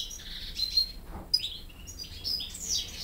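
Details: Caged young European goldfinch hybrids learning song from a goldfinch tutor. Short bursts of high, bright twitters and falling whistled notes, with a brief soft rustle in between.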